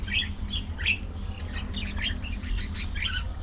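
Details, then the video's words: A colony of budgerigars socialising and playing together, giving many short, bright chirps and squeaky warbles that overlap in quick succession, with a steady low hum running underneath throughout. "Budgie Parrot Colony! A Colorful & Chirpy Paradise!"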